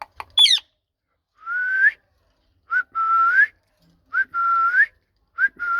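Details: Pet ringneck parakeet vocalizing: a short harsh squawk at the start, then four drawn-out whistled notes, each holding steady and rising at the end, separated by brief pauses.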